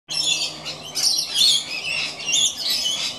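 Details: A couple of rainbow lorikeets playing on an old piece of rope high in a gum tree, giving harsh, high screechy squawks and chatter in irregular bursts, several per second, with no other clear sounds.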